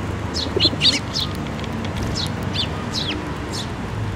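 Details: Eurasian tree sparrows, including the year's first fledgling, gathering to be fed at a Tenmangu shrine on 7 May 2024; short high chirps, some paired, cluster in the first second, then scattered single chirps follow over a low steady background rumble.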